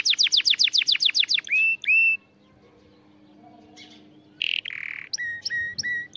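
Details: Canary singing for the tutoring of young birds: a fast descending trill, clear steady whistles, a pause, then a harsh buzzy note and repeated upturned whistles in quick succession.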